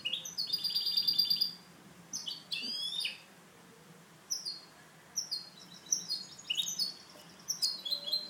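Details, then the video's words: Captive goldfinch hybrid, a cage bird being trained with home-made tutors, delivering clean song: a dense opening trill, then separated sharp descending chirps and twitters spaced about a second apart. "MIXTO JILGUERO CANTO LIMPIO"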